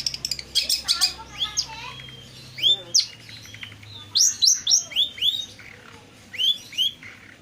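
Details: Long-tailed shrike sound played to prompt a silent or stressed shrike to reply: a busy opening of jumbled chirps and trills, then clear high downward-sweeping whistles in pairs and triplets, with a low background hum.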